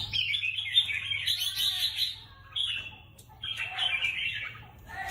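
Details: Caged competition red-whiskered bulbul delivers dense, rapid twittering song in two long bursts with a short clear phrase between, notes jumbled and bright, above a faint low hum.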